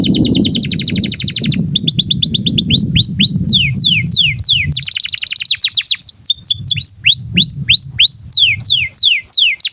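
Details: Canary in breeding condition singing for young birds to learn: fast trill of falling notes, then varied arched and curved whistles, another rapid trill, and upslurred whistles, with low rumble beneath.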